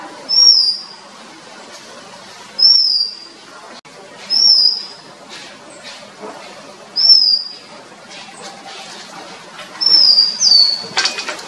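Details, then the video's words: An Oriental magpie-robin in Sri Lanka gives a short, high, clear whistled phrase that rises then slurs down, repeated five times about every two seconds over a steady background hiss. "Oriental magpie-robin"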